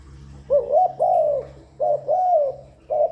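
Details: Spotted dove calling continuously, used to lure and stimulate doves: low hollow coos in two quick groups, each a short note followed by a longer drawn-out slurred coo, with a faint low hum beneath.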